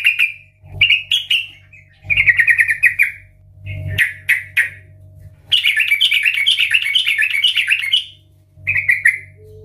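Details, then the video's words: Loud 'ngeplong' song of a sooty-headed bulbul, played to draw others into singing: short whistled notes and chattering trills, then a long rapid warbling phrase, with a low hum underneath. "Trucukan gacor Ngeplong Garuda Suara KERAS - Pancingan Trucukan agar Bunyi dan Gacor"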